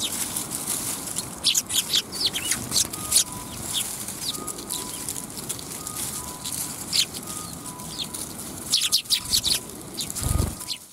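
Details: A group of sparrows at a Tenmangū shrine on a December afternoon in 2021. Short, sharp chirps sound repeatedly from several birds amid frequent wingbeats and flutters. A faint, steady tone pulses at regular intervals in the background.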